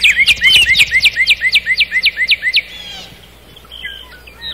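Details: Singing nightingale in a night forest: a regular string of about a dozen loud, hooked, upward-flicking notes, then a softer trailing flourish and quieter twitters afterward.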